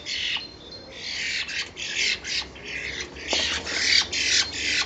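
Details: Common starlings, two birds, either fighting or mating in April, produce dense grating screeches repeated more than twice a second, loud and rough throughout.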